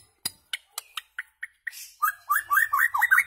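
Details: White-rumped shama tutoring song for goldfinches and hybrids aiming at very rare notes; seven evenly spaced clicking notes give way to a fast run of bubbly slurred whistles.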